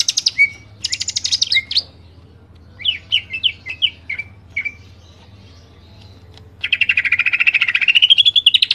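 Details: Varied clear song of the greater green leafbird, recorded as filler for mastering captive birds: short chattering bursts and sharp whistled chirps, a pause, then a long fast trill over a low droning hum.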